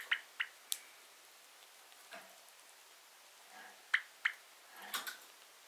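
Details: Pet Java sparrow sneezing repeatedly, and the owner wonders whether its throat is clogged: tiny, sharp sneezes like soft clicks or drips, in little pairs a second or two apart, in a quiet room.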